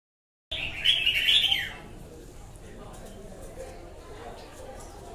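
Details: Wild-caught red-whiskered bulbul giving one bright warbled phrase, rapid high whistled notes rising and falling for about a second, then quiet background hiss.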